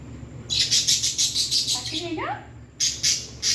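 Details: A pet parrot producing a fast series of harsh, high chirps in pulses, about four per second, with a brief rising whistled phrase in the middle.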